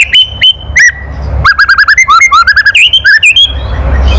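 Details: White-rumped shama, loud provoking kretekan call: a few separate sharp notes, then a quick run of about twenty clipped, rising and falling whistled chips, fading into faint background hiss.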